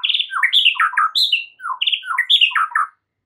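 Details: White-rumped shama singing in a recording used to help a stressed bird recover: rich, rapid, varied whistled and warbled notes that jump between pitches, with faint high overtones, ending abruptly.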